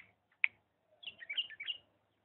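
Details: Diyala bulbul in the lisanat song style: a single sharp click, then a soft, rolling warbled phrase of looping whistled notes rising and falling.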